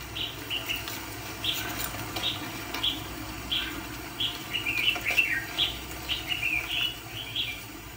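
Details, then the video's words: ['Red-whiskered bulbul kept as a decoy for trapping fighting birds, singing a steady run of short, bright warbled phrases, several per second, with a soft low hum underneath.'] "Chà mào bẫy đấu có tí che ché cung mau mỏ hầu bò cụp cầu"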